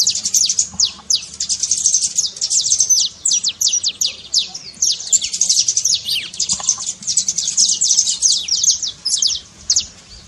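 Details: Saffron finch trincado for waking up a quiet canary's singing: continuous high, rapid chip notes sweeping downward, grouped into long bursts separated by short breaks.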